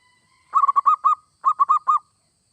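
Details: Zebra dove, local or Bangkok type, song used to get other doves singing: a phrase of five soft, rolling coos, a short gap, then four more, with nothing else heard.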